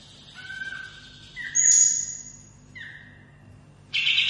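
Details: Olive-winged bulbul (kapas tembak) in a training recording of long rolling song: sustained clear whistles at steady pitches, one high bright note, then a burst of dense chatter at the end over faint low hum.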